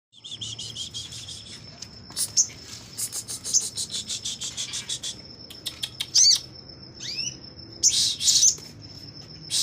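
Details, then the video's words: Sogon singing actively while opening its wings, kept at a magpie-robin breeding farm as a tutor song: high thin chirps and buzzy bursts in irregular clusters over a steady high whine. "Burung sogon gacor buka sayap"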